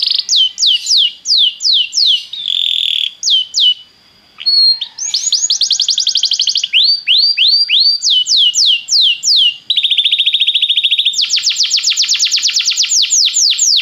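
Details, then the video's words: Belgian canary song meant to warm up a canary: rapid repeated downslurred whistles in varied phrases, switching to rolling trills and dense buzzy rattles, loud and continuous. "canário belga muito lindo cantando, aqueça seu canário imediatamente"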